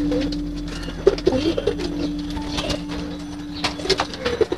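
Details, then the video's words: Several low, throaty coos from pigeons in a loft during feeding, clustered in a short burst with clicks and shuffling of feet, and calm ambient music humming underneath. "Pigeon Sounds, Feeding Pigeons"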